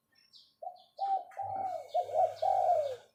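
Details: Decoy spotted dove in captivity giving a short 'pho pho' call: a few tentative low coos build into a sustained, slightly descending rolling coo, with distant small-bird chirps.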